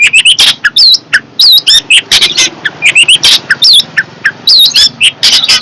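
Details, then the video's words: Fierce long-tailed shrike kept in a cage, pouring out loud chattering song: rapid high chips, squeaky upslurred and downslurred whistles and harsh notes in quick clusters, nearly continuous throughout. "Burung cendet galak"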